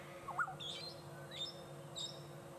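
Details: In the bush on a late-afternoon sunset drive on 7 December 2016, a usually shy brown-headed parrot makes a racket of shrill, squeaky high cheeps every half to one second. A black-headed oriole's louder liquid whistle is heard near the start.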